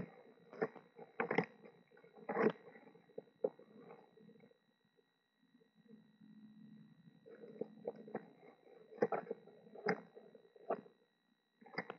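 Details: Soft squishy rustling, scraping and chewing-like clicks in a small enclosed space, with no clear animal call.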